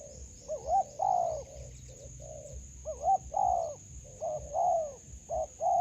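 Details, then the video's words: Spotted dove heard during trapping with a decoy in a melaleuca plantation, a wild bird. Rhythmic coo phrases with short rising lead-in notes and longer wavering coos repeat in groups over a steady high-pitched drone. "Bẫy Cu gáy vườn tràm .gặp bổi tố chất"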